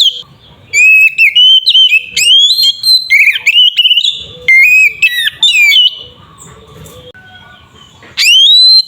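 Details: White-rumped shama fighting song, used to provoke other shamas: loud whistled phrases with rising sweeps and sharp upslurred notes, delivered in rapid bursts with brief pauses, ending on a strong rising whistle.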